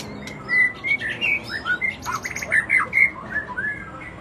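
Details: White-rumped shama singing actively: short bright whistles and chirps repeated roughly every half second over a steady hissing background.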